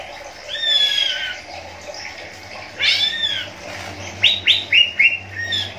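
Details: A caged greater green leafbird from a breeding pair: long slurred whistles bending down, then a fast burst of short falling whistled notes, clear and loud.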